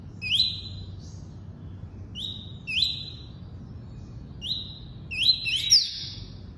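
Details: Double-collared seedeater singing the tuí-tuí song type: short phrases, each a sharp upslurred note that runs into a flat whistle near the top of its range, given in spaced bursts, with a quiet low hum beneath.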